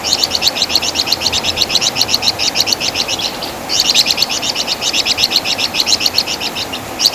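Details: Master song of the Javan fulvetta (flamboyan, wergan jawa), a loud singer with a distinctive chatter, used to train songbirds. Quick high-pitched chirps repeat almost continuously in two long runs, with a short break near the middle.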